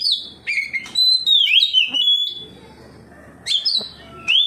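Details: Singing in reply to another magpie-robin, an Oriental magpie-robin pours out its repertoire: ringing downslurred whistles, a long wavering high phrase, a pause, then quick upward-sweeping notes repeated twice.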